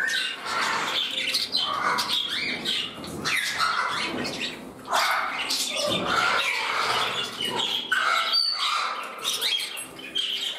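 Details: Several pet budgerigars kept together indoors, one turning temperamental while another courts a companion; dense, continuous scratchy warbling and squawky chatter with short harsh notes overlapping throughout.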